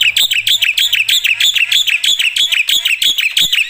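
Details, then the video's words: Black-winged myna singing loudly with a fast, regular train of shrill, harsh chattering notes, roughly three per second, each buzzy and high-pitched, with a faint low hum beneath the first half. "suara KERAS jalak putih gacor full isian"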